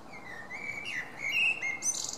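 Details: Song of a common blackbird, 10 June 2017: a smooth, drawn-out flute-like whistle wavering up and down, then a bright, high, scratchy twitter closing the phrase.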